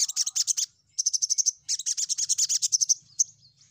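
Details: Lure song of a crimson sunbird meant to draw in rivals. Quick runs of sharp, high chattering notes in tight series, pausing briefly once, then a long fast rattle ending in a few scattered thin notes.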